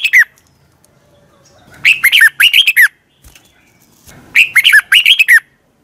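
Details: Training song of a red-whiskered bulbul at morning: a brief whistle, then two loud bursts of quick, slurred, bubbling whistles, each about a second long, with near silence between them.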